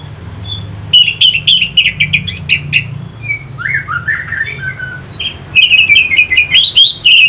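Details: Orange-headed thrush song used to stimulate fighting birds: bursts of clicks and varied whistled phrases near the upper-middle range, dense rapid notes, a lower slurred warbling passage midway, steady low hum underneath.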